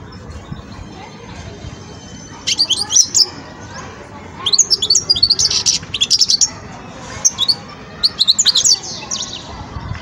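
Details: Young European goldfinch working out its song, producing repeated bursts of bright, rapid, jangling twitters high in pitch, four or five phrases separated by short pauses over a quiet background.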